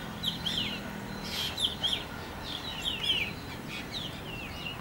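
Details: Calls of a juvenile black drongo: thin, twisting, whistled notes in small clusters, about one cluster every second or so, irregularly spaced, with faint background hiss.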